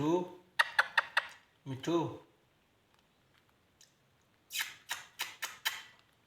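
A talking ringneck parakeet gives a few buzzy, speech-like phrases, then a quick run of five or six harsh, hissing syllables in a small room.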